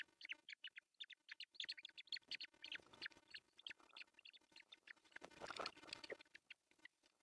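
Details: Osprey on its nest in Pohjois Satakunta, Finland, June 10, 2024, male bringing a big fish for breakfast: fast runs of shrill chirping whistles, briefly covered midway by a burst of rustling noise.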